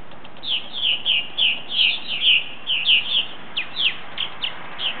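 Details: About ten purple martins returning to their colony for the night, pouring out a steady series of rich, downward-slurred chirps, several overlapping, in quick succession.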